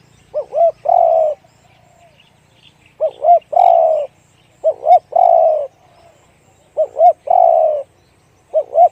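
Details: Spotted dove repeating its 'one kuk, big voice' song: four complete phrases of two brief looping notes and a long, full, low coo, spaced about two seconds apart. A fifth phrase begins at the end, with faint chirps behind.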